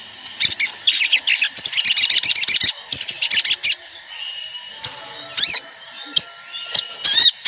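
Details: Group of sooty-headed bulbuls (Pycnonotus aurigaster) used as a lure to prompt singing: rapid, overlapping bright chattering for three seconds, then scattered clear whistled phrases and sharp chirps.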